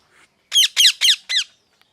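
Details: Parrot chirping: four harsh, loud, downward-sweeping screeches in quick succession, each about a quarter second long, with a faint softer note before them.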